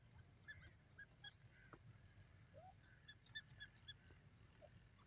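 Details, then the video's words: Grey partridge giving short, sharp call notes in quick, irregular bursts, some seeming to overlap, over a steady low rumble of background noise. "grey partridge voice"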